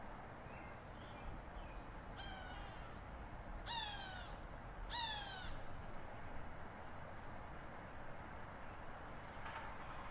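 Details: Agitated hawk upset by buzzards moving in, giving three harsh, downslurred, screaming calls about a second and a half apart, each roughly half a second long and richly harmonic, over a constant low rushing background.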